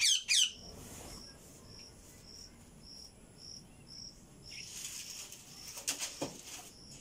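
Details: A pet talking ring-necked parakeet that won't talk gives two quick, harsh, shrill screeches, then a steady high ticking pulse about twice a second, followed by rustling and flapping.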